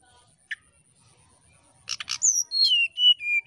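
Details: Brown-chested jungle flycatcher song aimed at provoking a rival, opening with a short chip and a burst of rough buzzy notes, then clear whistled notes falling stepwise in pitch, sharp and loud.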